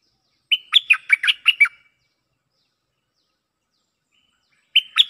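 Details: Cream-vented bulbul lure song, replying to a resident bird: a rapid run of about seven bubbly chirps after a whistled start, a long pause, then the phrase begins again.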